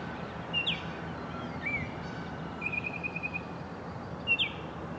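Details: Male Baltimore oriole perched atop a tree at Lynde Shores, Whitby, singing in summer: rich fluting whistles, one rising slur, a sustained wavering note, and a final bright whistle, with distant traffic rumble underneath.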